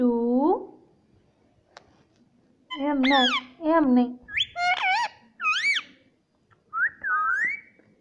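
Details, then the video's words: Pet Indian ring-necked parrot talking indoors, with rapid rising and falling word-like squawks in quick bursts and a final wavering whistled phrase; a person speaks nearby. "Indian parrot talking"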